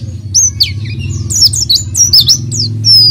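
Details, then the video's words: Oriental white-eye singing vigorously as a lure for an untrained white-eye: scattered high, bright whistled slides and chirps, unhurried, over a continuous low droning hum. "PLECI GACOR UNTUK PANCINGAN PLECI BAHAN"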